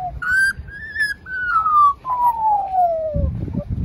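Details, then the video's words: An Australian magpie in Newcastle, NSW, which had learned to mimic ambulance and fire-engine sirens, whistles a clear siren-like phrase: two level wavering notes, then a long smooth downward slide, like a passing ambulance, over faint background noise. "Australian magpie sings like an ambulance"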